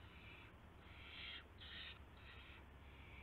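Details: Owl calling at the nest around 1:00 AM in March 2016 after a gopher was delivered; four long, rasping hissed bursts, each about half a second, with brief gaps between them and a constant low background drone.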